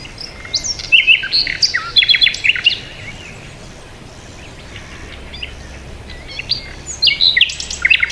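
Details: Chirping birds give quick, high, varied notes during the first three seconds, fall quiet in the middle, then resume with sharp twitters near the end.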